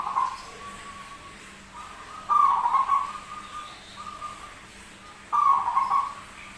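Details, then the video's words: Zebra dove, described as rare, singing eagerly in an unusual voice: rolling coo phrases repeated about every three seconds, each a burst of throbbing pulses tailing into a level hum, with softer linking tones between. "PERKUTUT SUARA ANEH TAPI GACOR"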